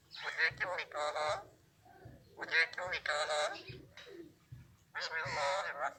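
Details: Alexandrine parrot imitating Urdu, Hindi or Arabic speech. Three dense, buzzy phrases of several syllables each are separated by quieter gaps of about a second.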